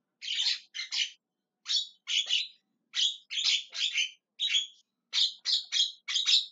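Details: Javan myna screeching and calling: loud raspy squawks, often in pairs, repeated steadily with brief pauses between groups.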